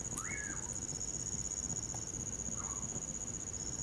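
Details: Winter recording of a common pauraque by a crackling campfire. A clear whistle rises sharply, holds, then slides down, followed by a fainter, lower echo-like whistle. Crickets drone continuously on a high note.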